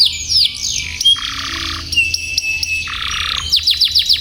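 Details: Canary singing a training song for young canaries learning long rolls: sweeping whistles give way to dense buzzy rolls alternating high and low, closing with quick descending chips.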